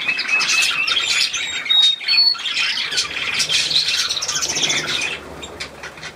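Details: Bathing budgerigars in a shower, 18 May 2024: busy, scratchy chatter with short whistles and squawks in quick bursts, easing off toward the end, against constant hiss.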